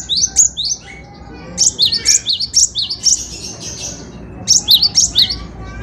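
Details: Gelatik batu, a cinereous tit, in lively full song for tutoring songbirds: clear, piercing two-part whistles in quick runs of four to six notes, separated by a brief quiet gap, over low steady background noise.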